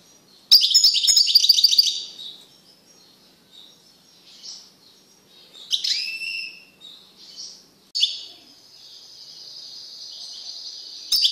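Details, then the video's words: Caged male European goldfinch singing strongly after being separated from a female canary it had mated with: a fast, high metallic trill for over a second, scattered twittering notes, then a long thin buzzy tone. "تغريد قوي لذكر طائر الحسون بعد عزله عن أنثي الكناري"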